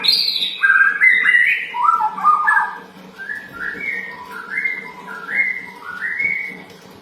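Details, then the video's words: Lure song of a sooty-headed bulbul, used to draw birds into answering: a run of short whistled phrases that step up and down, later notes rising in pairs, backed by a constant low hum. "Pastol pancingan efektif dan langsung nyaut ikut bunyi"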